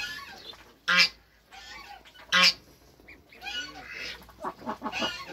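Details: Toulouse goose mother with goslings on their first day in a backyard, among hybrid African and Toulouse geese. Two sharp, loud honks stand out among softer overlapping goose calls and hissy background noise.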